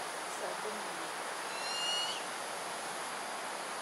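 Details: Fledgling Buffy fish owl waiting to be fed by its parents at dusk in Singapore, 17 September 2022; a single high, thin whistle sliding upward and ending abruptly, with soft overtones, against constant background hiss.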